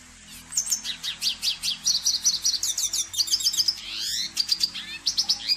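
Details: Spinus cucullatus, the red siskin, delivering a lively twittering song of rapid high notes, trills and a few descending buzzy slurs, repeated in close pulses over a faint low droning background.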